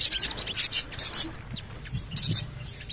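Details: Javan cochoa lure call meant to set birds singing, with a rapid run of very high, shrill chirps, a short quiet gap, then another chirping burst.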